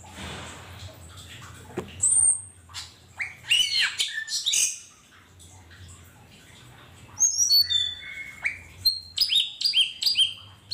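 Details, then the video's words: Cucak keling singing in the wild: sharp, high whistled notes and quick rising and falling chirps in bursts, with pauses between phrases and a steady low hum beneath. "Burung cucak keling di alam liar"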